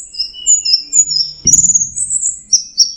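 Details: Orange-headed thrush in teler song, giving clear, thin high whistles that slide and repeat, broken by one sharp click and a low knock midway.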